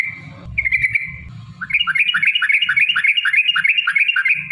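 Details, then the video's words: Trucukan, the sooty-headed bulbul, singing a lure song to prompt other bulbuls: a held whistled tone first, then a quick repeated run of chirpy downslurred notes, roughly three and a half per second, with low background rumble. "trucukan gacor TARUNG ROPEL PANJANG pancingan trucukan agar bunyi jadikan burung trucuk gacor EMOSI"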